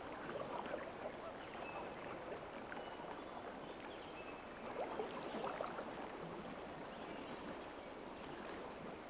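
Steady rushing water, like a stream or paddling through water, fills the whole stretch with no clear animal voice.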